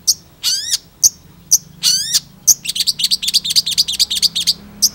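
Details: Long-tailed Shrike delivering sharp high chips and laddered descending sweeps, then a rapid even run of short squeaky notes near five per second.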